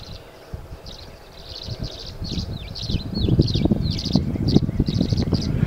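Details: Tree Swallow giving a steady run of short, high, liquid chirps, several per second, over low rumble of wind or rustling, in Mashpee, Massachusetts, on 13 April 2014; Tree swallow.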